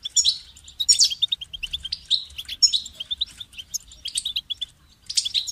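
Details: Goldfinch song: fast, liquid chattering phrases of high twittering notes and sharp chirps, run together in lively bursts with short gaps.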